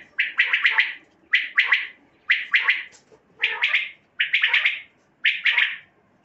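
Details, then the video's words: Common quail calls used to lure quail for night hunting: a repeated clipped burst of three to four quick liquid notes, one burst roughly every second, six bursts in all, with no other sounds. "Quail mix voice for night batair ki mix awazin raat k shikar kaylye"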